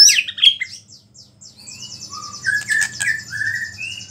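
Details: White-rumped shama imitating small birds in a provocative song aimed at other shamas: sharp high chips, then a buzzy trill with interspersed whistled notes, faint low hum throughout.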